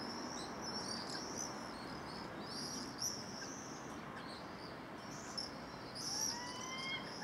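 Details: Common swifts at nearly 9 pm on 15 July 2017, swarming in huge numbers: thin, shrill, buzzy screams in overlapping bursts over steady background hiss, with a brief rising whistle near the end.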